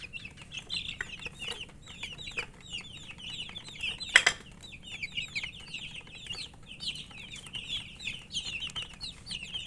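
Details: Coloured baby chickens chirping with thirst for water: a group of chicks giving short, shrill downward-slurred peeps in bursts, with clicking and tapping noises and one loud knock near the middle.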